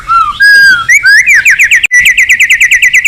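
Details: White-rumped shama calling a rival: slow, pure whistles rising in pitch, then a rapid, even series of short repeated notes, about seven per second.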